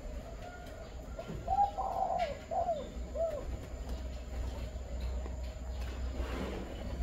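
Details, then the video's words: Spotted dove giving the five-note cooing style: a run of soft, low, rounded coos in the middle of the recording, with a steady low hum and faint rustling behind. "chim cu 5 tiếng"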